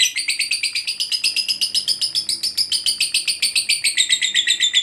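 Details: Rapid high chatter, the long ngekek of a fighter lovebird used to prompt others to sing; evenly pulsed shrill notes, roughly four a second, sliding slightly higher toward the end.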